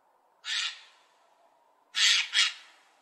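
A magpie gives harsh, rasping squawks: one single burst, then a quick pair about a second and a half later. The background is otherwise quiet.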